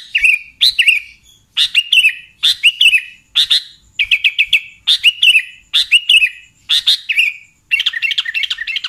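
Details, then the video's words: Sooty-headed bulbul, a recording used as a lure for trapping bulbuls: bright, chirpy bursts, each a quick upsweep sliding into a short bent note, repeated roughly every second in a steady series. "SUARA BURUNG Kutilang Pikat"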